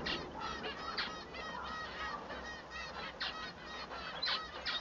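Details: Male Society Finch singing: a run of nasal, harmonic-rich notes repeated in quick bursts, with a denser chattering group near the end and a background of overlapping bird chatter.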